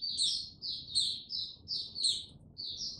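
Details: Mata Puteh white-eye singing slowly and steadily as it gains confidence, March 2022: bright, very high chirruping notes in quick repeated phrases about every half second, with a faint low background murmur.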